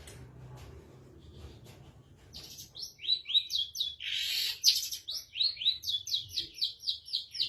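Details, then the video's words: Long-tailed shrike singing with its cover opened, a training recording for caged birds: after two quiet seconds comes a fast run of sharp, buzzy, down-slurred chirps, about four a second, growing louder toward the end. "MASTERAN BURUNG CENDET BUKA KRODONG GACOR"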